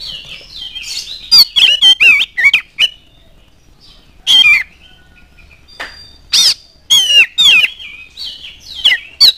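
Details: Oriental magpie-robin singing a lure song to spur other birds into song: rapid series of bright whistles, squeaky mimicry and harsh churrs in dense clusters with pauses between.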